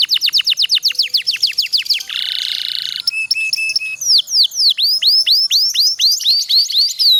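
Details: Domestic canary singing a long roll, played as a master recording to coax lazy canaries into song: rapid downslurred whistles about four a second, then a steady buzzy trill, then more sweeping high notes.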